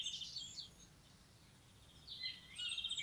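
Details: Common blackbird outdoors, partly masked by steady background noise: a quick high twittering phrase at the start, a pause, then another busy chattering phrase of high, squeaky notes running to the end.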